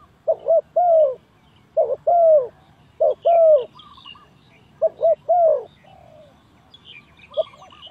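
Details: Trapping lure of a spotted dove: four paired coo phrases, a short note then a longer falling one, followed by a quieter stretch with a rolling trill and distant bird chirps.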